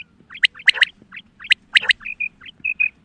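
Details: Quail hen call for hunting: rising chirps and loud crackling clicks in two clusters, followed by a series of short steady whistled notes near the end.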